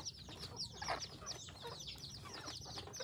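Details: Red junglefowl hybrid fowl, second generation, at a village in Phon Thong, Roi Et, Thailand, giving busy overlapping high chirps and peeps in quick succession, with a brief louder cluck near the middle over low rumbling noise.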